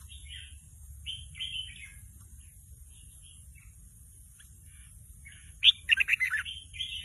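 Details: Young captive red-whiskered bulbul practising its song, not yet a full song, in short, broken bubbly phrases, ending in a quick burst of louder warbled notes, over a steady high hiss.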